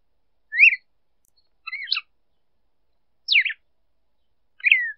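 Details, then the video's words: A female red-cowled cardinal sings to excite a male, giving four short, clear whistled phrases, slurred up and down, spaced about a second apart, with silence between them. "Fêmea de galo-de-campina cantando para esquentar macho"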